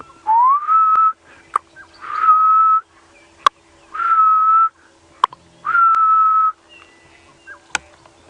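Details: Grey-headed bush-shrike calling close by on a sunrise safari drive on 24 May 2017 while another is seen; long, level, mournful whistles, some rising at the start, four repeated about every 1.8 seconds, with sharp clicks between.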